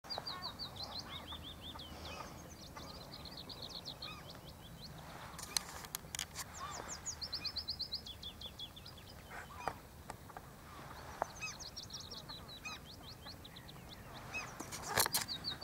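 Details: Bluethroat at the Horsmeertjes on Texel sings high, varied phrases of rapid, ringing trills and chirps, with short pauses between bursts; a few sharp clicks and soft background noise are also heard.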